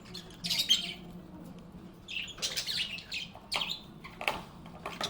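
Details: Cheerful budgies chirping in a calm environment: short bursts of high, scratchy chirps and twitters separated by brief quiet gaps, with a faint low hum underneath.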